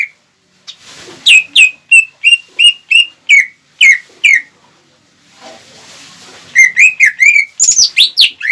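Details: Greater green leafbird in full song, a lure meant to quickly provoke rival leafbirds: after a short hush, a run of about eight clear whistled notes repeats every third of a second, then a pause and a quicker burst of varied whistles and chirps.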